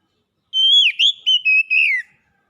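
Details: Oriental magpie-robin, a contest champion bird, singing one clear whistled phrase of about one and a half seconds: a sustained high whistle followed by four bright, slurred notes that bend up and down.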